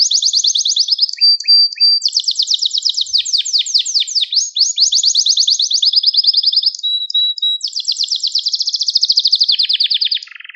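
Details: Gloster canary song used to stimulate other canaries and train young canaries to sing: a continuous run of rapid high trills and rolls, broken by flat, pure whistled notes and a few short lower chirps, with no other sounds.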